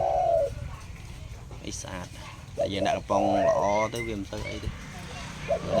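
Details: Spotted dove that has only recently begun calling, giving low, throaty coos: a short phrase at the start and a longer rolling run midway, with a man talking between them.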